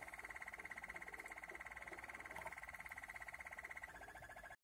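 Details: Malinois waterslager canary delivering a sustained rapid rolling trill lasting about four seconds, then changing to a slightly lower, smoother tone before stopping abruptly.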